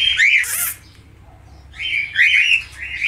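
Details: Budgerigar of the falk type chirping two bursts of squeaky, scratchy warble separated by a brief near-silent pause.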